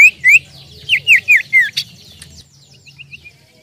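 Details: Common iora (cipoh/sirtu), recorded to lure birds, gives 'nyiull nyiull' song: about six loud, hooked whistles in a quick series, then fading soft notes as other birds twitter faintly.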